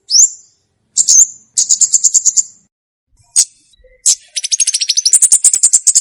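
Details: Olive-backed tailorbird song for luring and mastering: high upslurred whistles and short trills, then a long accelerating series of rapid, piercing high notes.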